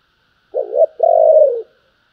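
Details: One complete spotted dove coo phrase in the 'thúc' or 'gọi' style: a short, throbbing double note, a brief gap, then a drawn-out, low, softly descending coo in otherwise silent surroundings.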